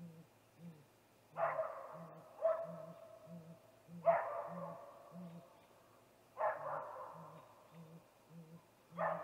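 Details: Calling male great gray owl near a snag tree nest at 8:45 pm, 21 April 2019, ahead of a nest visit: a long train of low, even, flat hoots, twice per second, under intermittent loud harsh wails.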